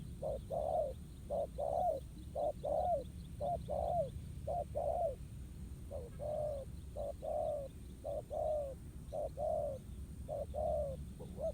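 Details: ['A wild spotted dove answers a ground-trap decoy in a fighting contest, repeating soft, low two-part coos about once a second, a brief note then a longer falling one, over a constant low hum.']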